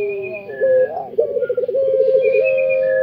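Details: Puter pelung dove, called anggungan, giving a fast rolling, tremolo coo that settles into a smooth sustained tone. Faint higher whistled notes sound in the background.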